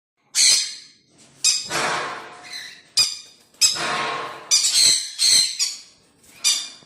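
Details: A breeding pair of sun conures (Aratinga solstitialis) in an indoor setup gives loud, harsh shrieking squawks in bursts of about a second, several in quick succession, echoing in the room.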